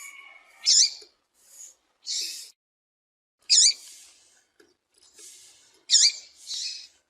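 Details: A female double-collared seedeater gives chipping calls that prompt males to sing. Short, bright, high notes come in loose pairs, a sharp chip followed by a softer one, repeated roughly every one and a half seconds.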